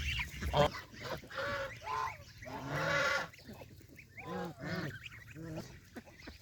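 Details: Countryside farm geese, adults and goslings, eating fresh grass near a pond; a series of harmonic honks in bursts about every second, rising and falling in loudness, several birds calling.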